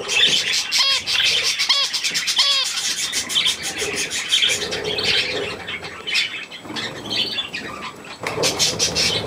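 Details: Budgerigars and young at millet, 3 May 2024: three clear falling, harmonic squawks about a second apart open the clip, then steady high-pitched chirping chatter from the group continues.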